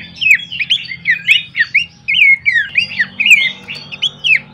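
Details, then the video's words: Horsfield's babbler, recorded as a training master and lure: a run of loud, slurred, squawky whistles, about one per second, rising and dropping in pitch, with a faint low hum behind. "pancingan dan masteran terbaik mewah khas burung pelanduk semak"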